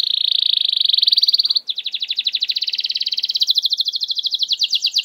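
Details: Canary singing as a lure to get silent canaries singing: a fast buzzy trill that shifts after a short break into rapid pulsed rolls, ending in higher repeated notes.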